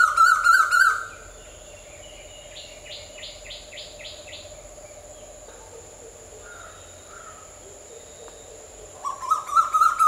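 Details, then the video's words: Asian koel calls in a serene nature ambience: loud bursts of rapid, evenly repeated notes at a steady mid pitch open and close the recording, with a quieter series of higher, evenly spaced notes between them over a faint background hum. "Asian Koel Birds' Sounds"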